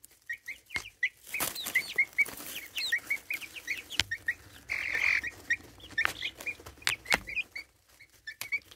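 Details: Four-and-a-half-week-old domestic chicks near a phone camera: many quick high chirps and peeps overlapping, one longer trilled note midway, and occasional sharp knocks from movement.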